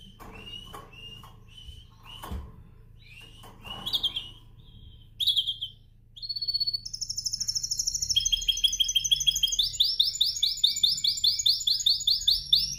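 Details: Canary during singing training, practising to perfect its song: scattered short chirps and quick upslurred notes, then a bright, sustained song of rapid trills and fast repeated high notes rolling on without pause.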